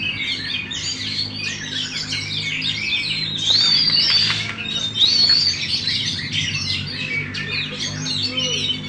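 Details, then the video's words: Caged contest-winning Oriental magpie-robin with tail fully opened, pouring out a fast, busy stream of chirps, twittering trills and a few clear drawn-out whistles, with a faint low hum underneath. "KACER BUKA EKOR FULL DAN JUARA"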